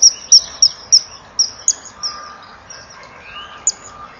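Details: Common kingfisher, a male arriving at the nest with a small fish and passing it to the female; a series of sharp, high piping whistles, repeated quickly at first then spaced out, with a softer fainter whistle in the background.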